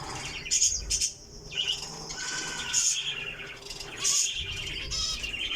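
Java sparrow giving short, high chirps and tinkling notes in bursts about every one to two seconds, with a soft background hiss.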